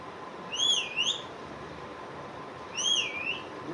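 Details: A talking Indian ringneck parakeet gives two short, wavering whistled phrases about two seconds apart, each dipping and rising in pitch, over faint background hiss.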